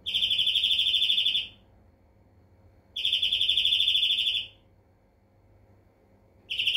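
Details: European greenfinch delivering repeated fast trills, each roughly one and a half seconds of quickly pulsed ringing notes, recurring about every three seconds against a faint hum.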